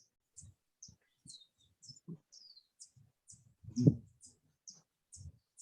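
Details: Lesser Violetear in highland cloud forest at Savegre, Talamanca Mountains, Costa Rica, on 1 December 2021. It gives thin, high, dry chips about twice a second over wind rumble and thumps on a very windy day, with many hummingbirds calling.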